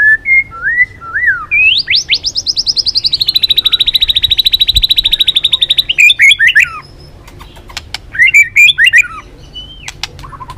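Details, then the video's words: Balak 6 white-rumped shama song for catching birds: a few slurred whistles, then a long steady buzzy trill of rapid repeated notes, broken off by sharp clicks and ending in varied whistles. "Suara Masteran Pikat Burung Murai Batu Balak 6 (Whiterumped Shama)"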